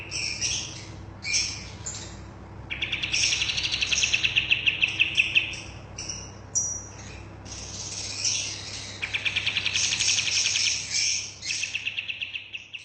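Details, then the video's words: Bulbul song, lively and continuous, used to train caged birds. Varied high chattering phrases and long rapid trills of crisp chirps follow each other with brief gaps. "Burung Kapas tembak gacor buat masteran"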